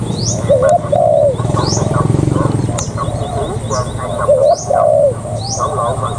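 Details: Spotted dove decoy bird, a wild-caught adult kept for ground-decoy trapping, gives two low, throaty cooing phrases about four seconds apart. Sharp rising high chirps from another caller repeat throughout over a steady low hum.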